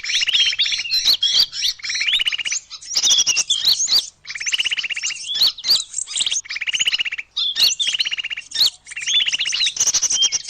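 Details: Calls used to lure small birds. High, twittering chirps from several birds overlap, broken up by repeated buzzy, rattling trills about every two seconds and by sharp tapping clicks.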